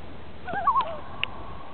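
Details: Loon on Casey Lake, British Columbia, close to Francois Lake, heard from a fishing boat. A short quavering tremolo of rapid wavering notes is followed by a faint click against low background rumble.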